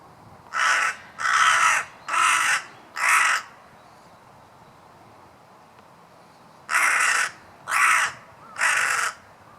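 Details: Series of loud, raspy crow caws, four in quick succession, a few seconds of quiet, then three more with the same rough, even tone.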